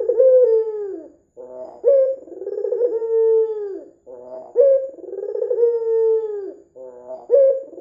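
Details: White ringneck dove with red eyes, kept as a lure to make doves call, calling eagerly. A burred, purring coo rises, then draws out into a falling hollow note. The phrase repeats steadily three times.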